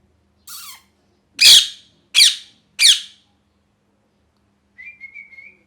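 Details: Angry pet parrot in molt: a soft nasal note, then three loud rasping squawks about two-thirds of a second apart, followed by a thin level whistle in a quiet room.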